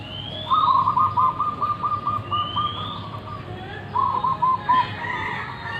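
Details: Local wild zebra dove with a big voice, singing a rapid staccato series of low, bubbling coo notes that slows toward the end, then a shorter repeat; thin rising whistles from another bird and a low background hum.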